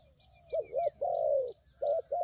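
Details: Spotted dove lure call for bird trapping, soft hooting coos. Two quick notes lead into one long, slightly falling coo, then two more short ones. Faint thin whistles and chirps sound in the background.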